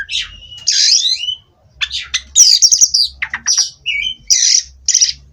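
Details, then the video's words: Caged Oriental magpie-robin from a breeding farm, kept as therapy to steady it on the perch: loud varied song mixing harsh squawky bursts, whistled rising and falling notes, and rapid chattering phrases, with brief pauses between. "Terapi Burung Kacer Agar Stabil di Pedok"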